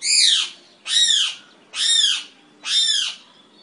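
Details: Eclectus parrot kept at home in Nawalapitiya, Sri Lanka, giving four loud, harsh, nasal squawks. Each is rich and arched and lasts about half a second, repeated roughly every 0.9 seconds over a quiet background.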